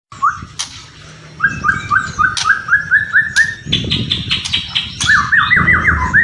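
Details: White-rumped shama song with kretekan and whistling: runs of repeated upslurred whistled notes, about three per second, then a brief higher series. Sharp clicking snaps and low rumbling noise sound throughout.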